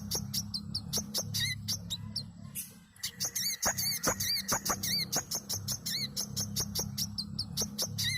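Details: Manggar bird song for luring birds to sing: busy, irregular clicking notes and rippling wavy whistles, with a brief lull midway, all over a constant low humming background.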